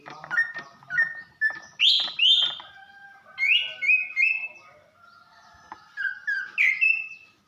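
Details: Female greater green leafbird, caged, calling to stir a male into singing: clear whistled slurs and short chirps in bursts, some notes falling, a faint steady whistle running underneath.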